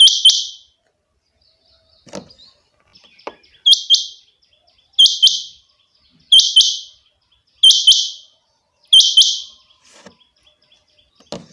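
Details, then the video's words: Rain quail (chinga batair) kept as a pet bird, calling a loud, high double note over and over, roughly every 1.3 seconds, in a quiet room with a few soft clicks between calls. "my rain quail sound effect chinga batair ki awaz"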